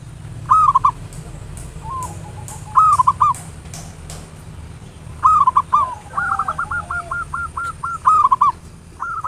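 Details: Zebra dove, local type, giving ngayer nulop lure song to stir others into singing: repeated cooing phrases of punchy hoo notes, one stretching into a long rolling series of rapid coos, phrases about every two to three seconds.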